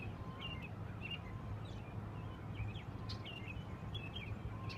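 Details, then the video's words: Near the dam off Grand Avenue in Schofield, Wisconsin, birds give quick high chirps and short twittering notes at irregular intervals, partly masked by a constant deep rumble of flowing water. "Bird calls"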